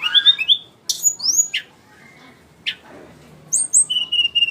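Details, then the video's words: Flycatcher, known locally as sikatan rimba, giving varied clear whistled phrases: slurred rising and falling notes, sharp high chips, then a quick series of high whistles and a steady thin whistle toward the end. "burung sikatan rimba"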